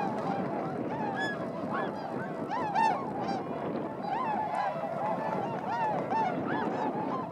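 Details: Swans in flight over wintering rice paddies in Inzai, Chiba Prefecture, Japan, December 2014, a flock of around 905; constant chorus of nasal honks and rising bugled notes overlapping, with low-frequency rumble underneath.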